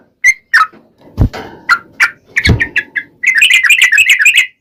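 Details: Trucukan, or sooty-headed bulbul, in vigorous lure song for drawing answers from other trucukan; scattered single whistled notes among two heavy thuds, then a fast continuous bubbly chatter.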